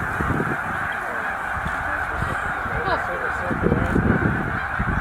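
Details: Huge migrating flock of snow geese, about 100,000 birds, at Middle Creek wildlife refuge during the late-winter northward passage: a continuous wall of clamorous honking, countless calls overlapping into a thick, droning din.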